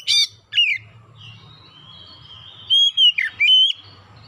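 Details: Oriental magpie-robin song used to lure birds into singing: two harsh squawky notes, a long steady whistle, then a burst of loud swooping whistled phrases, over a faint low background hum.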